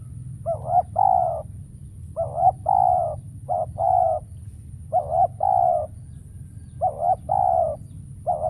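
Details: Decoy spotted dove calling at a trapping site where wild birds are said to be scarce and none appear. Soft, mellow coos come in clusters of two or three notes, the last longest, the pattern repeating several times above a low background hum.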